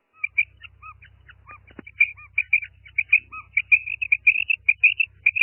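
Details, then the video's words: Female common quail, a call locally called karkaree: short, high, clipped chirps repeated in a quickening series that grows louder and denser toward the end, over a faint low steady hum. "Female quail sound| madi batair ki awaz | batair karkaree| Maadi Batair Ki Awaz| Female Common quail"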